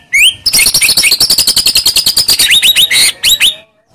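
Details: White-rumped shama singing to make a quiet shama respond: a rising whistle, then a dense, very rapid high chattering trill, closing with a few loud upswept notes.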